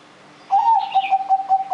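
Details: Zebra dove, a lively singer used as a lure to make other birds sing, starting a phrase with a short rising coo and then a fast, evenly pulsed trill of low cooing notes. A soft higher chirp overlaps.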